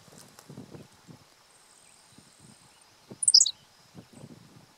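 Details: From the ground at State Game Lands 100, Pennsylvania, on 1 June 2015, an unseen Henslow's sparrow delivers one abrupt, high, squeaky two-syllable phrase, surrounded by soft low clicks and a faint steady insect tone.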